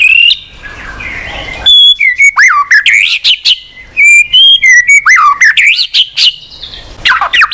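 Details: Murai batu, the white-rumped shama, singing to prompt a silent bird: bursts of loud whistles with steep downward swoops and upturned phrases, separated by short quieter pauses.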